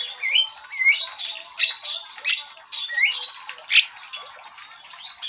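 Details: Javan myna in full, persistent song, played as a lure for birds: loud, rough squawking bursts about once a second, with upward-sweeping whistles and buzzy chatter between them.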